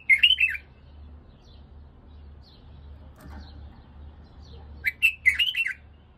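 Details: White-eared (white-cheeked) bulbul song, apparently used to train another bulbul, in two short bursts of rich, bubbly warbled phrases at the start and near the end, with quiet pauses and a low hum between.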